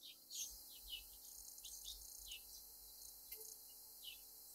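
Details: Rufous hummingbird, known for attacking at flowers and feeders. Sharp, high chips and short downward squeaks come irregularly, several per second at times, with a low rumble beneath.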